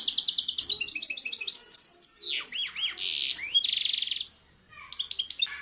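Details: Misto hybrid canary song, recorded as a training tape for young birds: fast high trills and rattling rolls, then deep swooping rising-falling whistles and a buzzy burst, followed by a brief pause and renewed trilling.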